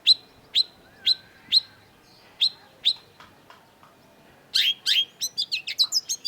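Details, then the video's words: A long-tailed shrike (cendet), in a lure recording meant to set silent shrikes singing, gives sharp, high notes about twice a second, then breaks into a rapid burst of varied, scratchy chattering phrases. "cendet gacor LANGSUNG GACOR !! PANCINGAN CENDET MACET || Long-tailed Shrike"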